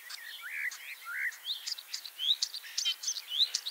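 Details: A ringed, leg-injured common starling in Liepāja, Latvia, returning for a third spring (arrived 25 March 2023), sings a busy jumble of whistles, slurred notes, clicks and rattles, mostly high-pitched, with quick varied phrases.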